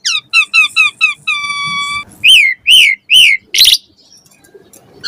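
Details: Training song of a caged Asian pied starling: a run of quick repeated chirps, a long steady whistle, then three loud arching whistles and a harsh noisy burst.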